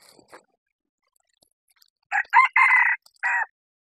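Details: Male red junglefowl used as a decoy to lure wild junglefowl on a bamboo-forested hilltop, crowing loudly: a short opening note, a rising second syllable, a long sustained middle note and a clipped falling end, against a quiet background.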